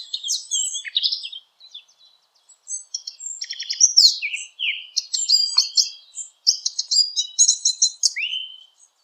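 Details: Eurasian blackcap, a migratory bird, in a high-clarity recording made for hunting callers: a dense, scratchy warble of quick chattering notes broken by short pauses, ending with a clear descending whistled slur.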